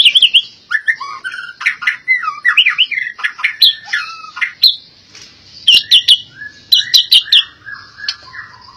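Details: Albino white-rumped shama with a varied song of sweet whistles, quick slurred phrases and sharp clicking chips, delivered in bursts separated by short pauses, mixing high bright notes with lower rich whistles.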